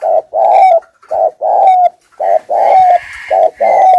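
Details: Spotted dove kept as a lure, cooing thúc gù style in rapid low phrases, short then long notes with a sliding tail, with a faint higher chirp in the background.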